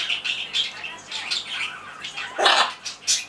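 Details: Blue-and-yellow macaw named Riru, in a good mood, chatters in short, scratchy, mid-high bursts ending in a loud, harsh squawk; it talks on its own only when in a good mood and says words like "ohayou" (good morning) and "bye-bye".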